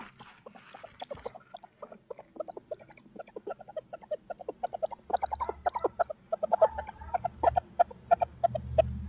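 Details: Barred owls of Midtown Tulsa, 2020, on a live feed: a long run of quick, clipped, cackling notes repeated about three times a second, growing louder toward the end, with a low rumble underneath.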